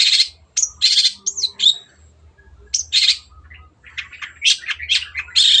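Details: Long-tailed shrike giving a clear, lively song for training other birds: harsh grating bursts and bright whistles, a short quieter gap, then a rising string of chattering, scratchy notes.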